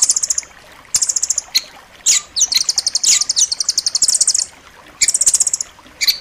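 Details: Tutor recording of rambatan loreng song, dense and sharp, for pet songbirds: piercing high rattles of fast repeated notes, one extended trill in the middle and shorter bursts on either side.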